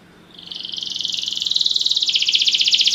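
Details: Belgian canary song for training: a rapid, pulsing high trill that swells from quiet to loud and holds steady, each pulse evenly spaced, with nothing else audible.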